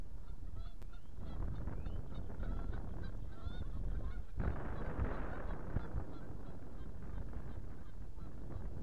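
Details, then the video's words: Geese active on a pond, giving repeated short nasal honks with several birds calling together, over steady low wind rumble and water noise. "GEESE ACTIVE ON POND"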